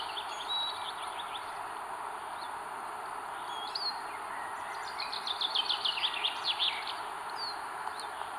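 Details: Northern goshawk chicks at the nest in northern Estonia on 21 May 2022, as the mother feeds them: thin, high, squeaky whistles in quick, uneven bursts, growing busier toward the end, over a steady rush of wind and leaves.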